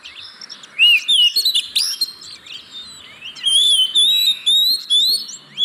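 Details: Lure song of an oriental magpie-robin for coaxing unwilling caged birds to sing: soft chirps at first, then loud rising whistles and rapid high twitters in a steady stream.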